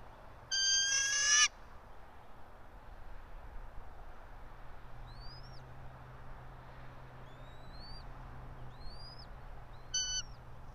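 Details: Bald eagles of a local breeding pair at their nest atop a pine about 90 feet up in Johnson City, Tennessee, on 3 April 2024 around 6:28, on a nest camera. A loud one-second burst of rapid, harmonic chattering notes, then several thin rising whistles and a brief chatter at the end, over a steady low hum.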